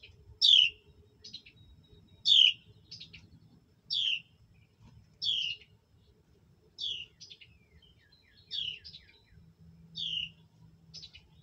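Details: Mother bird feeding hatchlings: repeated high descending chirps, loud at first, then softer, interleaved with brief faint peeps over a low background hum.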